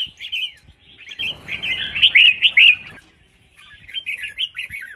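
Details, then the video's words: Female red-whiskered bulbul calling to encourage males to sing; rapid, bright chattering warble building to loud slurred notes, then softer chirps after a short pause. "Chào Mào Mái Kích Trống"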